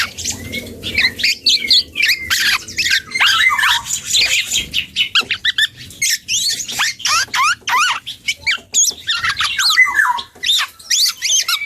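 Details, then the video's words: Dark-throated oriole youngster practising song: long, rapid string of thin squeaks, sharp chips and quick downward slurs in uneven bursts, with only short gaps between phrases. "KEPODANG HUTANG muda||belajar ngoceh"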